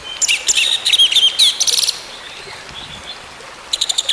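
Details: Orange-headed thrush song meant to get a silent bird singing again: a rapid run of high whistled and scratchy notes for two seconds, a pause, then a brief chattering burst.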